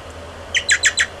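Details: Young American goldfinch begging while being fed, 30 July 2011; four loud squeaky down-slurred chirps in quick even succession, over a low background hum.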